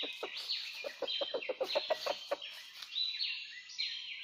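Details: Red junglefowl from rocky mountain country, recorded while being trapped on 17 March 2019: a quick run of low, throaty clucks, about a dozen in two seconds, under high whistled songs of other small birds.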